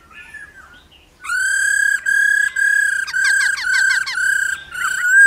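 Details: Female laughingthrush 'ro ro' calling to stimulate male song: faint notes, then five loud sustained harmonic whistles of similar pitch separated by short gaps, some with descending slurs layered over them.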